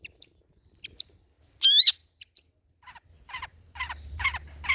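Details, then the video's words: Long-tailed shrike singing old-style song material, kept for luring and tutoring other birds: sparse high chirps, a rapid buzzy downward-sweeping trill, then rasping notes that grow louder near the end. "BURUNG CENDET MATERI JADUL BONGKAR MATERI MEWAH"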